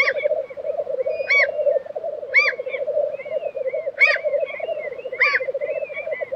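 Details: Black grouse lek recorded in April 2023 at Tiveden, Sweden: unbroken rolling bubbling underneath repeated loud hissing sneezes roughly once a second, with thin whistled notes from other birds between them.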